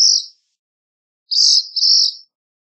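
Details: Black phoebe singing: a brief high note cut off at the start, then after a pause a longer two-part high phrase, the first half buzzy and the second a thinner sustained tone, against silence.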